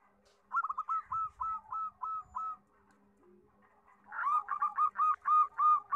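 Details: Local zebra dove singing actively with a loud voice, kept as a song tutor for young doves: a rapid run of short mid-pitched cooing notes, a pause, then a louder second burst of stuttering coos with an overlapping lower voice.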